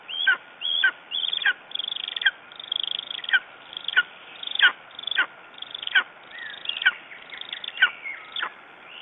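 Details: Morning calls of a lesser spotted eagle, Estonia, 9 June 2011: repeated high downslurred yelps, uneven spacing, roughly one or two a second, some overlapping as if a second voice joins, quiet background.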